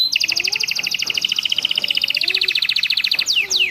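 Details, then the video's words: Captive canary tutor recording mixed with ciblek and prenjak motifs, made with pauses so birds stay calm: a long fast rolling trill of paired metallic notes, ending in quick downward-slurred whistles. "MASTERAN KENARI ISIAN CIBLEK PRENJAK"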